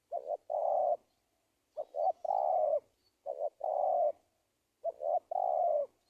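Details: Spotted dove call played as a trapping lure for wild doves: a steady series of low cooing phrases, two quick hoots leading into a long, level coo, repeated about every one and a half seconds.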